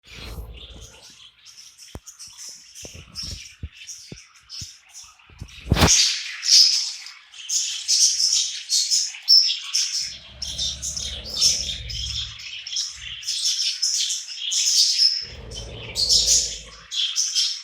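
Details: A lime budgerigar, drowsy near sleep, chatters in a fast, scratchy stream of high chirps and warbles, with a faint low hum now and then.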